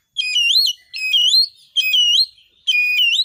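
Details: Oriental magpie-robin, a 'gacor' singer, producing song to provoke rivals into 'narung' singing: four loud ringing whistled phrases, each rising and twisting, repeated at intervals of about a second in clean quiet surroundings.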